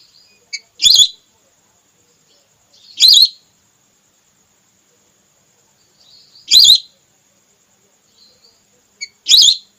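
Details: Female whistling duck call used as a hunting lure for red or plain whistling ducks: four loud, high whistled notes with a twisting tone, spaced unevenly about two to three seconds apart, with faint short chirps between.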